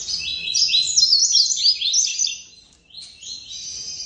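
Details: A caged Double-collared Seedeater sings pure tuí-tuí song alone, with no female in view: a fast, high, bright warble of tumbling twittered notes, a short pause, then another sweet phrase.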